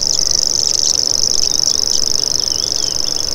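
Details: Common grasshopper warbler reeling: a dry, rapid, cricket-like trill held at one high pitch without pause, with light twittering of other birds behind it.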